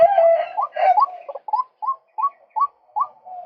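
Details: Male white-breasted waterhen calling, used to lure birds: a run of short upslurred notes, the first few overlapping and harsher, then about eight clipped rising notes spaced roughly evenly.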